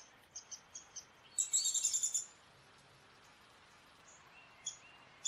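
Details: Downy woodpecker (Dryobates pubescens) call: four faint, high, short notes, then a quick rattling run of about eight sharp notes, followed by a few soft high notes over a quiet background.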